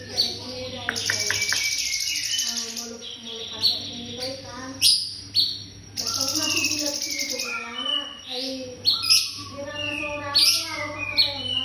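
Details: Varied cungkok song of a white-rumped shama used as tutoring material: rich warbles, quick whistles and repeated harsh rasping bursts, lively and loud throughout, over a persistent low hum.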